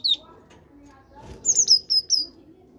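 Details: Captive-bred caged great tit giving one sharp high note, then after a pause a short run of five thin, very high whistled notes.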